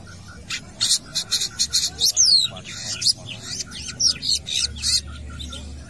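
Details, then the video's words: Long-tailed shrike (cendet) singing vigorously at a football field: loud, rapid series of sharp high chips and buzzy notes, with a few slurred whistles dropping in pitch, in bursts of about half a second over soft background noise. "BURUNG CENDET GACOR"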